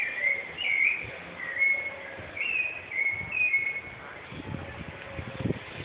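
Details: Rufous-bellied thrush in Osasco, Brazil, 14 November 2014, singing a series of mellow whistled phrases roughly once a second, some level and some bending upward, followed by low rumbling and knocking sounds near the end.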